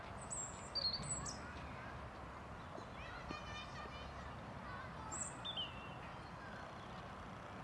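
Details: European robin (Erithacus rubecula) in Tivoli Landscape Park, Ljubljana, on 12 November 2022, gives thin, very high whistled phrases with quick ticking notes in short bursts between pauses, over a low rumble and faint voices.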